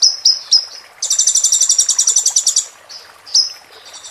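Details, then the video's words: Oriental white-eye 'roll tembak' song for tutoring moulting birds: brief sharp high whistles, then a fast, even, buzzy trill lasting about one and a half seconds, followed by scattered whistles against a quiet background. "MASTERAN KONIN FULL ISIAN ROLL TEMBAK"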